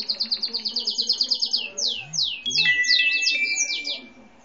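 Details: Gray and white canary of no set breed produces a quick even trill of about fifteen descending notes, then broad down-swept whistles and a jumble of high slurred notes with a thin steady tone.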